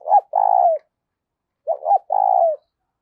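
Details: Decoy spotted dove kept to lure wild doves, giving two cooing phrases, each a pair of short abrupt notes running into a drawn-out vibrating coo that falls away at the end.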